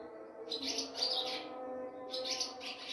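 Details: Pre-dawn chirping of an Ababil (swallow) at a home during Sehri on a moonlit night: two clusters of fast, high, buzzy twitters over a steady chanted Azan in the background, recorded on a phone.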